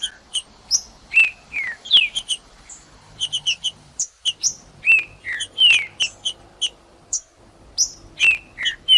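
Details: Cold green-winged saltator kept in a cage, warming up to sing, delivers a steady series of short high chips punctuated by clear downward-slurred whistles about once a second.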